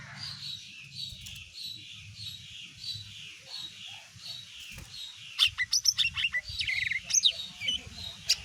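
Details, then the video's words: Singing greater green leafbird of the mini type, used to get other birds to respond: evenly spaced slurred whistles, then an energetic outburst of piercing chirps and trills. A steady low hum is also present. "CUCAK IJO BUNYI BIKIN BURUNG LAIN IKUT EMOSI"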